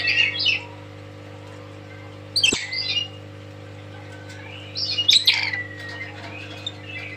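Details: Tame lory (nuri) squawking loudly: three harsh bursts spread over several seconds with whistled tails, over a constant low hum.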